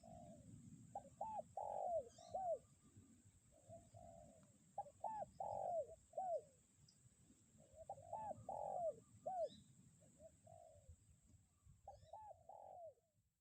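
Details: Decoy spotted dove calling on through strong wind, 'kuk 1' pattern: four rounds of low mellow coos, each a cluster of short hooked notes and a longer falling coo, over continuous gusty rumble and a faint high whine.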